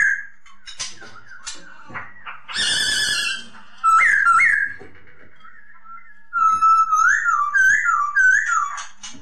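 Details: Masked laughingthrush singing: soft chips, a harsh grating burst, then clear upslurred whistles and a closing sequence of rolling, wavering whistled phrases repeated in quick succession, heard in a small room.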